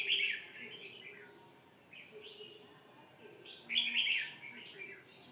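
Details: A red-whiskered bulbul gives loud, rich warbling phrases at the start and again near the four-second mark, linked by softer twittered notes, with a faint low hum underneath.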